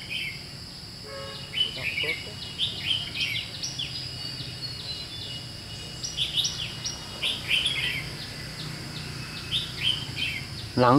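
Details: Red-whiskered bulbul of the white-cheeked 'gấu mèo' kind, recorded at a trapping session on 17 July 2016, gives repeated bright, bubbling two- and three-note phrases over a constant high buzz, with faint clicks and a loud knock at the end.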